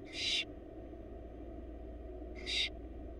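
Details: Barn owl chicks, wild, in a Florida nest box being fed by their mother, giving two short raspy hissing screeches a little over two seconds apart, with a quiet low hum between.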